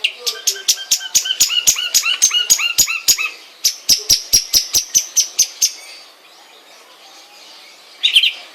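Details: Long-tailed shrike kept at home sings a long series of high, sharp notes, many with down-curving tails, repeated roughly twice a second. It falls silent for two seconds and ends with a brief scratchy burst.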